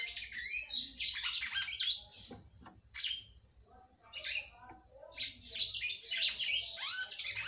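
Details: A female red-cowled cardinal sings often to excite the male. Rapid twittering phrases of high warbled and buzzy notes come in two long bursts split by a quiet stretch, ending with a rising whistle.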